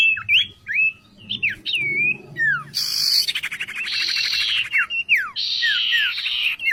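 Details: Oriental magpie-robin kept as a fine vocal tutor bird, singing clear whistled notes and sharp downward slurs that alternate with long harsh buzzy bursts, with a faint low hum beneath.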